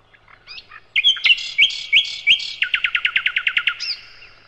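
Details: Sikatan londo (nightingale) song, a loud singer used as a master recording to train other songbirds: soft opening notes, then slurred whistles and a fast, even trill of about fifteen sharp descending notes ending in an upslurred whistle.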